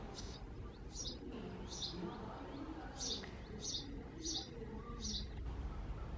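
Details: Persistent chirping from a male house sparrow at a backyard nest box, a string of short, loud, slightly slurred cheeps spaced about half a second to a second apart, with distant low hum.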